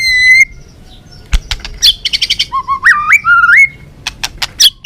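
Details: White-rumped shama delivering a balak 6 song meant to lure birds for trapping: a long level whistle, scattered sharp clicks, a quick chattering run, then stepped whistles climbing upward and closing clicks.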